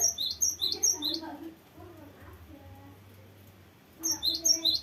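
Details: Cinereous tit in strong song, a long varied roll meant for tutoring or luring birds. Fast high-pitched notes run briefly, stop for over two seconds of quieter low warbles, then start again.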